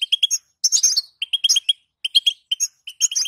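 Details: 'Batbata' call of a female European goldfinch, used to make males sing: crisp repeated chirps in tight groups of three or four, with one brief buzzy twitter in between.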